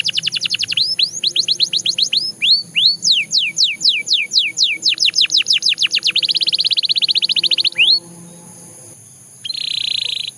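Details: Belgian canary song: swooping whistled notes in steady succession, a fast trill, a continuous buzzy roll, a pause, then a short closing buzz.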